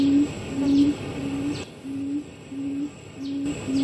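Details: Barred buttonquail of the Taiwan-endemic Formosan subspecies (Turnix suscitator rostrata), Pingtung County, Taiwan, 3 September 2019, gives low, hollow humming notes, about seven in four seconds at a steady pace, over a faint background hiss.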